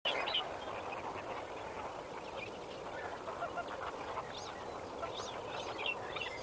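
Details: Lesser flamingos at Kamfers Dam at sunrise on 18 May 2024, a dense chorus of many birds giving nasal, goose-like honks and short yelping notes that overlap continuously over a steady background murmur.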